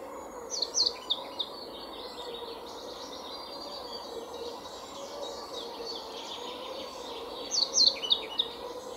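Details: European pied flycatcher, male and female together in a forest setting; short high chirpy phrases with quick downslurred notes in bursts near the start and again near the end, over steady background noise.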